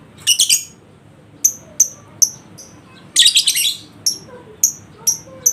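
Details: Lovebird lure recording meant to prompt a quiet lovebird into ngekek singing: sharp, very high chirps repeated at uneven intervals, with two short bursts of harsh, dense chatter.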